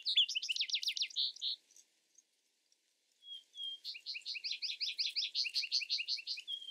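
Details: Two Vesper sparrow songs: the first ends with a rapid rattling trill, then after a pause a new song starts with two short whistles and a long, steady series of quick chattering notes.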